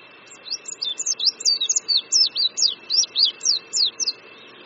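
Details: Spring song of an Oriental white-eye above a creek at Qingdao University, Shandong, China: a lively stream of high, quick, downslurred and looping whistled notes, roughly four each second, with a faint constant tone behind.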